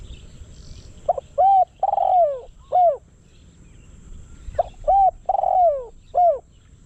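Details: A spotted dove used as a decoy for luring wild doves repeats its cooing phrase twice. Each phrase has clipped introductory notes, a long falling coo and a closing hooked coo. The phrases are spaced about three seconds apart.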